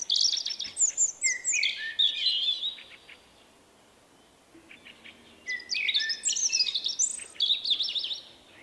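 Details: Common blackbird (Turdus merula), a shy male with an unusual song, recorded late March 2024, sings two rich, jumbled phrases a few seconds apart, each rising into high, squeaky twittering notes, with a quiet pause between.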